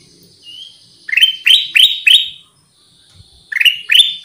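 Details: Lure song of the kutilang emas (Black-crested bulbul): a soft thin whistle, then four loud upward-swept chirps in quick series, a short pause, and two more rising notes.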